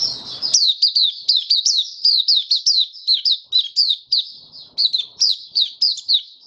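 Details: Steady white-eye song from a caged bird on 23 March 2022, warm and humid: an unbroken stream of high, quick, down-slurred chirps at a brisk even pace, after a brief opening noise.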